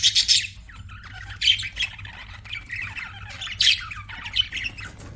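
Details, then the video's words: Budgie chirping with loud, harsh squawks at the start and again midway, separated by softer warbled chatter and buzzy trills, faint hum in the background. "BUDGIES CHIRPING SOUND"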